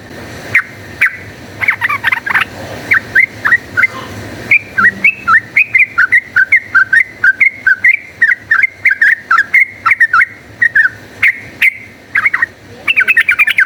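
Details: Energetic fighting song of a yellow-vented bulbul, played as a lure to train birds into fighters: long runs of sharp, liquid, chirping notes repeated several times a second, rising and falling, with a few short gaps.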